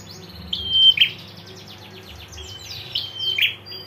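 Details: Ngetir call of a female prinia, used to prompt a male's response: two thin whistles, each closing in a rasping buzz, about 2.4 seconds apart, with soft background chatter between.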